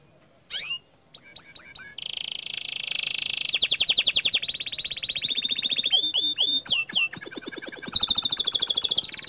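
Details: Canary singing in the loud, nonstop 'gacor dor' style: a brief upslurred note, then looped whistled slides, a long buzzy high rattle, rapid pulsed trills, deep downward sweeps and a final sustained high trill.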